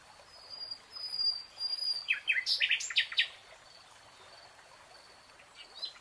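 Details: A nightingale sings in a lush green forest, a short cluster of sharp, rapid high notes and chirps lasting about a second, set against faint thin whistles from farther away.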